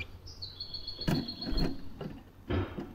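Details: Caged European goldfinch of unknown sex that never sings, only calls, and spends the day jumping around its cage; one long thin steady whistled note lasting about two seconds, with loud knocks and clatter from the cage.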